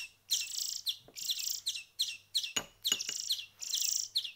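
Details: Songbird nestlings fed by hand for a week give bursts of shrill, buzzy begging calls with quick chirps inside. Faint handling clicks and a low hum sound in the background.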